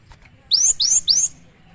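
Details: Cinereous tit, known locally as gelatik batu, singing actively: three loud, high whistled notes, each sweeping sharply upward, given in quick succession over a quiet background.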